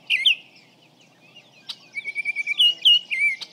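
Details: Baltimore Oriole about 55 feet away, recorded with a parabolic microphone: a brief pair of flutey whistles, a pause, then a run of rich, slurred whistled notes, steady and mid-high, over faint low background hiss.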